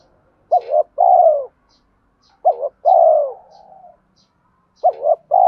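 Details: Spotted dove cooing, used as a lure to stir up decoy birds in training: three phrases, each a quick double rising hoot followed by a long, mellow, falling coo, with pauses of about a second between them and a faint trailing whistle.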